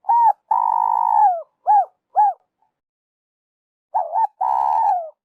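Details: Spotted dove calling, offered as a lure for trappers: a short wavering coo and a long, level, buzzy coo sliding down at its end, then two brief arched coos; after a pause the phrase starts again.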